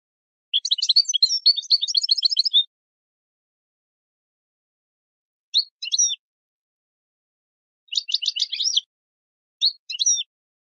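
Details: European goldfinch song for training birds: a long, rapid, tinkling twitter of high notes for about two seconds, then short chirp pairs and another quick rattling burst, clean background.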